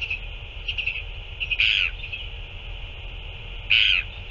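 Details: Northern royal albatross at a chick feeding by two adults, 9 February 2024; two rasping squawks roughly two seconds apart, faint softer notes before them, over continuous hiss.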